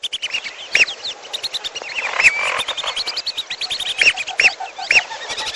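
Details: Lure recording for catching birds, lesser whistling duck mixed with piolo: steady high whistled chatter from many birds, punctuated by louder clear arched whistles.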